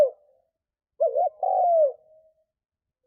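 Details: Decoy spotted dove calling to lure wild doves: a single low phrase, a short bouncing double note, then a sustained coo that sinks in pitch and trails off softly. Brief note fragments sit at either edge.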